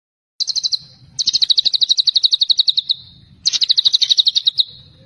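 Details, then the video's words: White-rumped shama producing a rapid pulsed trill, celilin style, in three runs, the longest about two seconds of evenly spaced bright high notes, with a faint low hum beneath. "MURAI BATU TEMBAKAN CELILIN MANTAP BETULLLLLL!!"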